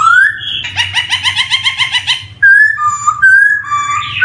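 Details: Black-throated laughingthrush lure song for young birds starting to sing: an upslurred whistle, then a quick rattling series of about ten harsh notes, followed by clear whistled notes wavering between pitches.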